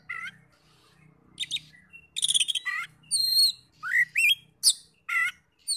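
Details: Oriental magpie-robin singing as a provoking lure for other magpie-robins: scattered loud phrases of rising whistles, rasping buzzy notes and a clear sustained high whistle, over a faint low hum.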